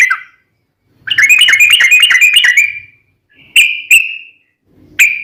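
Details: Sooty-headed bulbul singing lively phrases of its long rolling song; one burst of quick bubbly notes, then several single high chirps spaced about a second apart.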